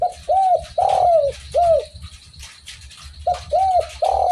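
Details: Cooing spotted dove: a short note, then rounded arched coos and a long falling coo, the phrase starting again after a pause, with low rumbling noise throughout.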